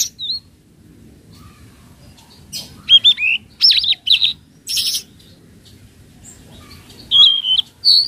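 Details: Flowerpecker (tledekan laut, speckled form) lure call used to train untrained birds: thin, high chirps and short twittering phrases, some wavering and zigzagging, in scattered bursts with brief pauses between them.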